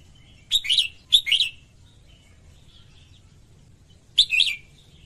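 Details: Female red-whiskered bulbul singing to stimulate males: two whistled phrases in quick succession, then a third after a three-second pause, each a bright slurred burst of three notes, with faint twittering in the gaps.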